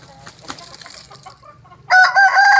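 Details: Aseel rooster crowing: quiet rustles and faint clucks, then a loud, harmonic crow bursts in for the final second and is cut off at the end.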